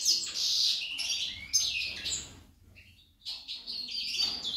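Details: A female goldfinch sings a fast, high, tinkling twitter of liquid trills and buzzy notes, pausing briefly before resuming just as rapidly.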